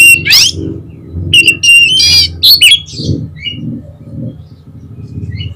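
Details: Kacer song played to provoke a rival's answer: quick, varied whistles and harsh scratchy notes in a dense burst, tapering to soft high chirps, with a continuous low droning noise beneath.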